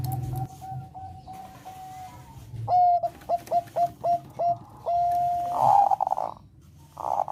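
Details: Bangkok perkutut, a zebra dove, with breeding-stimulating song: soft rapid notes, then a row of sharp, evenly spaced ringing coos, a long held tone, and rough buzzy bursts at the end.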